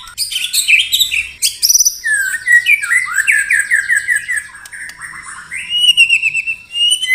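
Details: White-rumped shama singing a 'tembakan rapat' rapid-fire phrase: a burst of varied high chips and clicks opens into a rich string of swooping whistles, with a rising whistle at the close.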